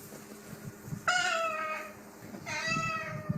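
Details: A parrot mimicking cats, an example of a vocal learner copying another species, gives two drawn-out, cat-like meows, each about a second long, falling slightly in pitch, over a low background hum.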